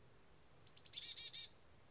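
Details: Black-capped chickadee (Poecile atricapillus) visiting a backyard bird feeder gives a quick chick-a-dee call: a few thin, high, slightly falling notes, then three harsh buzzy dee notes, over a faint steady high whine.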